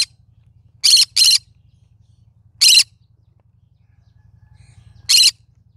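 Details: Cinnamon-colour green-cheeked conure, a pet parrot, calling: four harsh, broadband squawks, two in a quick pair near the start and then two more spaced a couple of seconds apart. A low steady hum sits underneath.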